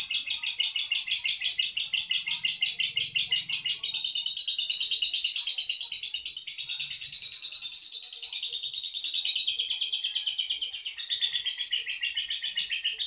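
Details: Caged monic lovebird from Boyolali, a contest bird prized for long trilling, delivers an unbroken high rapid buzzing trill for over thirteen seconds, briefly dipping in loudness near the middle before surging again.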